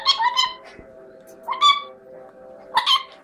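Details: Chestnut-fronted macaw uttering three brief groups of nasal, ringing squawks about a second apart over a low steady hum.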